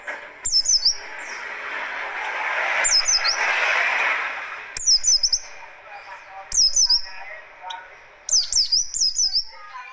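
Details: Oriental white-eye of the buxtoni race, kept as a songbird, giving short bursts of high, sharp, quickly modulated whistled notes every couple of seconds, with a broad hissing noise in the background between bursts.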